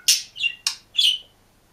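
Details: Lone caged green budgerigar chirping: four quick, sharp, high chirps in under two seconds, the last one a slightly drawn-out, whistled tone, with no other sounds.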